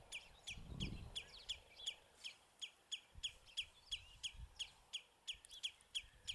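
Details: House sparrows on a bramble branch at Battenoord, Netherlands, chirp steadily: short bright cheeps about three a second, with a brief low rumble of background noise early on.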